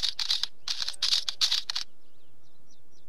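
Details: Harsh clicking bursts from a wheatear in three quick clusters, followed by faint, thin, repeated ticking notes from another bird in the background.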